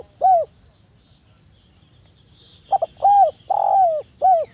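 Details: Lure call of a Javan turtle dove for prompting lazy doves to call: a single arched coo, then after a pause a quick double note and three rounded coos, the third longer and sliding down; faint constant high whine in background.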